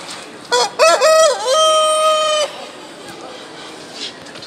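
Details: Brahma rooster crowing: two short stuttering opening notes, then one long, steady, ringing note held for about a second before it cuts off, followed by quieter background noise.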